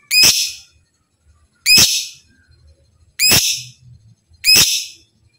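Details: Captive lovebird, in training material for gacor, ngekek and ngetik singing: four harsh, high, squawking chirps, each short and abrupt, repeated roughly every one and a half seconds over a quiet background.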